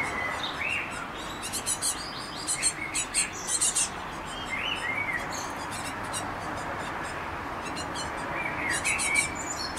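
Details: Recently fledged young tits, just out of the nest on 19 May and exploring between flights, beg hungrily with rapid, high thin chirps and short buzzy bursts, several per second, over a steady background hiss.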